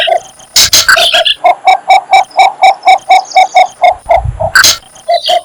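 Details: Courting cinnamon bittern giving a steady run of short, knocking notes, roughly three per second, opened and interrupted by bursts of bright twittering from other birds.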